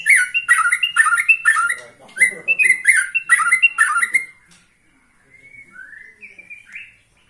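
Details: Caged white-rumped shama, 21 years old, singing a repeated phrase of bright whistled notes about twice per second for four seconds, then softer rising slurred whistles.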